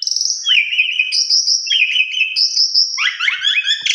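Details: Javan pied starling (jalak suren) singing as a lure: alternating long high buzzy tones and lower wavering whistled phrases, ending in a fast chattering burst.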